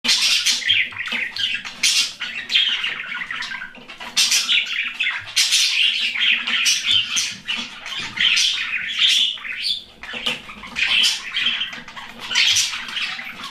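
Budgerigars chatter nonstop in bright, scratchy warbles mixed with sharp chirps and squawks.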